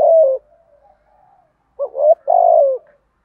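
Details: One deep coo from a spotted dove in thổ 'thúc gù' style for stirring wild doves into calling, then a long near-silent pause with faint murmuring, and finally a short double note leading into a drawn-out falling coo.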